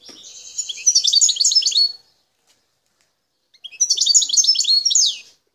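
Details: Wild Algerian goldfinch, parva subspecies, recorded near Bouteldja in El Tarf. Two bursts of fast, bright twittering with slurred whistled notes are separated by about a second and a half of silence.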